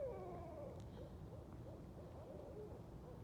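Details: Night chorus of several Barred Owls on a nocturnal walk: a descending wavering call opens, followed by a string of short, muffled arched hoots from more than one bird.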